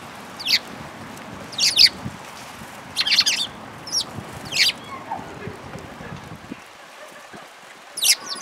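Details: Sparrows at a bridge over water, recorded 11 March 2022, giving short sharp high chirps singly or in quick pairs every one to two seconds, with faint low background noise.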